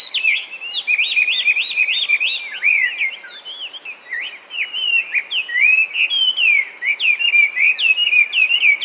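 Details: Chinese hwamei, a feral invasive bird in Japan descended from escaped cage birds, singing loudly: a fast run of rich, warbled whistles, slurring up and down in quick varied phrases almost without pause, over faint background hiss.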